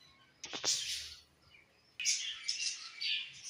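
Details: Budgies chirping in two bursts of rapid high twittering chatter separated by a short pause, a few clicks at the start.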